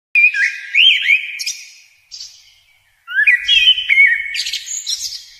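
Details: Sunbird calling at close range: loud, high, sweet whistled chirps and slurred notes in two quick bursts separated by a short pause, in a quiet setting.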